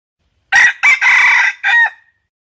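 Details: Wild red junglefowl cock crows: a short, clipped four-part cock-a-doodle, harsh and bright, lasting about a second and a half, cut off abruptly at the end.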